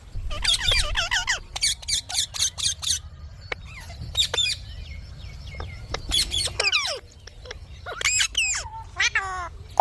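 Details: Pet Indian ringneck parakeet giving bursts of harsh, chattering squawks with rising and falling harmonic notes in quick clusters, separated by short pauses and low background rumble.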